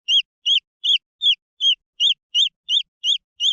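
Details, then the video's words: Young green junglefowl call with sharp, high-pitched peeps, each note arching then dropping, delivered evenly about three per second over a silent background. "The Sound of jungle fowl chicks"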